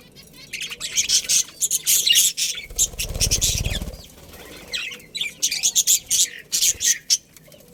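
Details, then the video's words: A budgie breeding pair in a colony produces bursts of scratchy, high chirping chatter, with a soft low fluttering rumble midway. "Cute Budgies Chirping Sounds"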